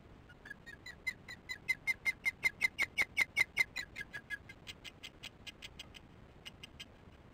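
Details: Osprey giving repeated alarm at the nest as chick feeding goes badly, 22 July 2015 at 19:08; a long run of about twenty sharp whistled yelps, swelling louder mid-series then fading into softer, spaced notes.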